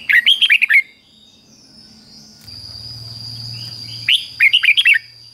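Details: Caged red-whiskered bulbul repeating its slow, clear doubled song, fik-jik-fok, played for young birds to imitate. Two bubbly phrases of about six notes, roughly three and a half seconds apart, with a low hum in between.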